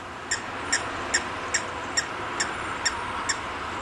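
Red-knobbed Coot giving a series of eight short, sharp, clicking notes, about two per second, over a steady broadband hiss.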